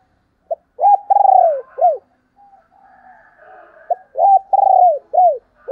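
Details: Spotted dove calling as a decoy to lure other doves: two mellow cooing phrases about three seconds apart, each a short note, a long throbbing coo that falls at the end, then a brief final coo, with a faint murmur between phrases.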